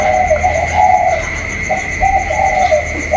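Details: Spotted dove calling in a contest with a wild dove, 27 October 2022; two clear phrases of soft, rolling coos close together, backed by a faint steady high-pitched whine.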